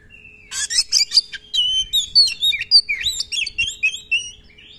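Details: Energetic song of an Oriental magpie-robin: a quick burst of harsh chattering notes gives way to a fast run of bright, twisting whistles and trills, densely packed and high-pitched.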